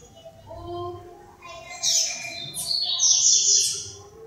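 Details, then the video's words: Female double-collared seedeater trembling her wings in a display, giving high, buzzy, slurred notes and short trills in rising bursts. Faint background murmur. "Coleiro Femeando de Tremer Asas"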